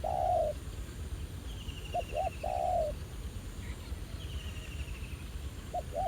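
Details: Wild spotted dove responding to a decoy at an old trapping spot, behaving quite aggressively; repeated deep coos, a long note, then two short notes and another long coo, with a higher rattling trill in the background.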